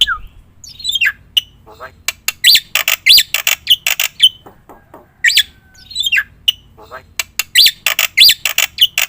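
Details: Black-winged myna singing loudly, meant as a lure and training master so that other birds start calling: irregular bursts of harsh, scratchy notes mixed with sharp whistled peaks, coming in clusters separated by brief pauses.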